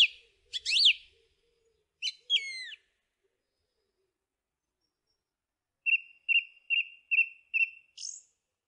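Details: A song thrush gives scratchy, sliding phrases, then after a pause repeats a short clear note six times evenly, ending on a high thin squeak.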